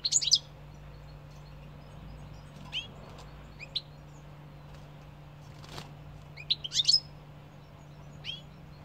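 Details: European goldfinch giving sparse, high, twittering chirps in short bursts separated by pauses of a second or more, with one louder jingling cluster near the end and a faint low hum throughout.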